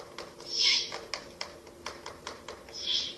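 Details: Owlets in a ruin nest being fed rabbit late at night, 30 April–1 May 2024: a rapid series of crisp clicks about every third of a second, framed by two loud rushing hisses.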